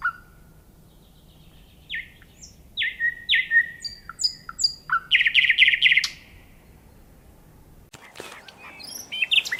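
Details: Nightingale song made of varied phrases: a low whistle, then separate stepped notes, then a dense rapid burst of repeated notes, ending abruptly in a broad noisy crackle with scattered high chirps.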